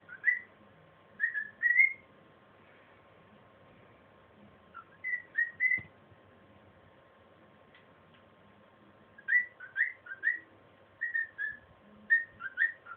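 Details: A male cockatiel practising songs he knows, singing quietly, whistles short, bright, rising phrases in bursts separated by brief pauses.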